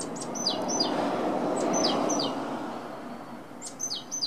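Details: Great tit song: a high two-note phrase, a sharp upper note dropping to a lower one, repeated at the start and again near the end. Strong steady rushing background noise fills the middle.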